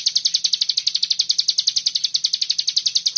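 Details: Common iora singing in the 'bren rapet' style, a tight rapid trill: crisp high notes hammered out in an even, unbroken rattle about nine times per second, with a quiet low hum.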